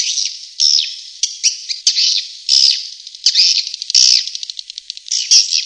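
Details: Swiftlet attraction call: separate high, harsh chirps and short buzzy trills, several with a sliding whistle-like note, spaced unevenly about every half second to second.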